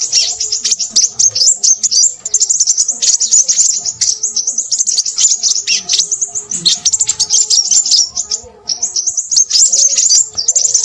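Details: Crimson sunbird, a bird of scrub and forest edges up to about 800-900 m, in a loud, incessant song of very high twittering trills. Short pauses fall near two and eight and a half seconds.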